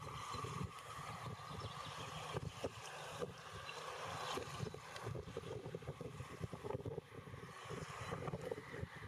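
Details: Gusty wind buffets the microphone outdoors, with a continuous low rumble and rustling crackles; no animal calls stand out.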